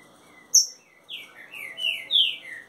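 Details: Green-winged saltator singing: a sharp high note, then a phrase of clear, slurred whistles, each sliding downward, in a quiet setting.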